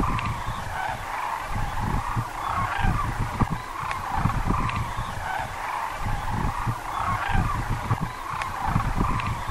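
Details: Sandhill Cranes gathered at Muleshoe Wildlife Refuge, Texas, give a continuous wash of overlapping rattled, bugling calls, with gusty low rumble beneath throughout.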